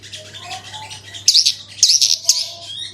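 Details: Branjangan singing in 'gacor' style as a lure: a few short, very high scratchy chirps in quick clusters above a soft background of distant twittering and hum.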